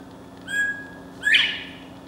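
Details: A Northern bobwhite, one that has moved into a fenced back yard, gives its clear two-part mating whistle at 5 in the morning: a level note, then a louder, sharply rising slur, over a low steady hum.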